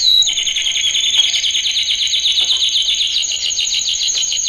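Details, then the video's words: Male canary training song, played loud: a steady, continuous run of fast, high rolling trills, each note repeated several times per second, with a thin sustained whistle held above throughout. "Kanarya Eğitim Sesi Erkek / Kanarya Eğitim Ötüşü / Yüksek Kanarya Sesi"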